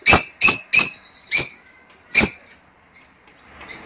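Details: Lovebird call sequence to encourage egg laying in a female: four rapid, harsh, high chirps, then a final one after a short pause, fading into quiet.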